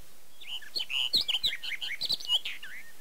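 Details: Barred warbler in Erdőhorváti near Tokaj, Zemplén, Hungary, early-to-mid May 2013, giving a fast, scratchy warble of short chattering and whistled notes, high-pitched and continuous for about two seconds, with some low thumps underneath.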